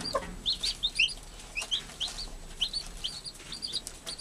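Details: A hen caring for her newborn chicks, called an American hen; a brief low cluck opens, then a run of high, sliding peeps in small clusters about every half second.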